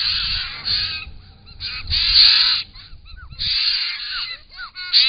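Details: A group of wild Australian White-winged Choughs at a pond, filmed by camera trap while drinking and displaying; loud harsh grating rasps in long bursts alternate with short upslurred whistles.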